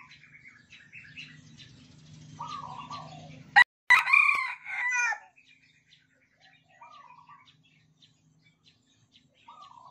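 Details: Captive red junglefowl (Gallus gallus) from Sumatra, cage-mate roosters answering each other's crows: one loud, abrupt, clipped crow in the middle, fainter cackles and short calls around it over a low hum.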